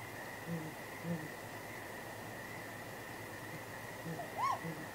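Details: A great grey owl pair at the nest at night on 23 April exchanges contact calls: a few soft, low hoots early on, then one higher arched wail near the end, over a steady hum.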